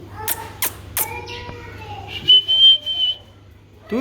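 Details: Alexandrine parakeet talking: three sharp clicking syllables, a short voice-like harmonic phrase, then a long, high, steady whistle broken into pulses, with a rising squeak at the end.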